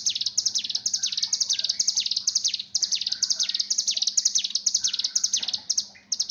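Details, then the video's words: Mountain tailorbird in breeding mood, a call meant to stimulate another bird to sing: rapid high downward-slurred chirps about twice a second, with brief gaps and soft lower whistles in the background. "pancingan Bren Ciblek Gunung cigun untuk melatih gacor bunyi birahi"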